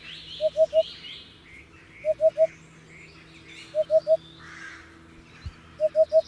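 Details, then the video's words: Hoopoe giving its soft, low triple hoot four times, each 'oop-oop-oop' group spaced about one and a half seconds apart, over chirping of other birds, a brief click and a low background hum. "Hoopoe sound || The most beautiful sound of Hoopoe bird"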